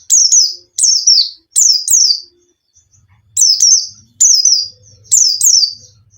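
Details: A white-eye (Zosterops) sings high, thin, sharply falling chirps, usually in quick pairs, repeated in bursts under a second apart with a short pause midway, over a faint low rumble. The song is used as a lure for lazy-singing birds.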